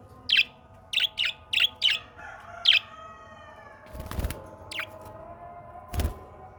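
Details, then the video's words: Australian parrot calling in natural surroundings: a run of five short, sharp chirps over about three seconds, followed by a few scattered broadband thumps or knocks and a low steady background hum. "Amazing Australian Parrot 🦜 Singing"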